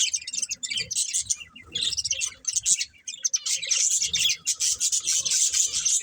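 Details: Budgerigar breeding pair chirping: fast, shrill, buzzy chatter that swells into long unbroken runs of high twittering, with faint low thumps.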